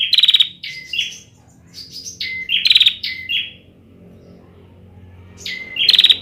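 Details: Immature bar-winged prinia singing an unfinished song: sharp whistled notes and dry buzzy rattles in short phrases, with a faint low hum in the background between bursts.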